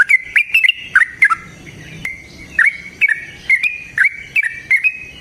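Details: Yellow-vented bulbul in lively, combative full song, played to provoke other bulbuls to sing: bubbly whistled phrases of quick up-and-down notes, roughly one burst every half second, with short pauses between them.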